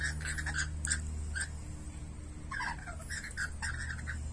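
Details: Two rainbow lorikeets squabbling while being fed grapes; harsh screechy chattering bursts in two clusters with a brief pause between, over a steady low hum.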